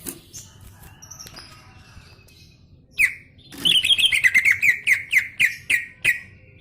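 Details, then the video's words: Gacor song of a greater green leafbird, a lively outpouring: after quiet faint chirps, one sharp whistle, then a quick series of repeated slurred whistles about four per second, interspersed with dry clicking notes. "BURUNG CUCAK IJO GACOR"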